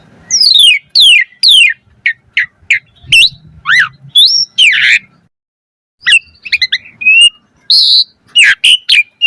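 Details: Asian pied starling with full pumping variations, used as a lure recording for caged birds. Three steep falling whistled sweeps, then hooked chirps and a harsh burst, a brief silence, and scattered squawks and whistles.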